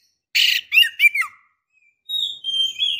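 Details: Breeding-condition female white-rumped shama calling a male. A single rasping, buzzy burst is followed by quick downslurred chips, a pause, then thin, high, drawn-out whistles.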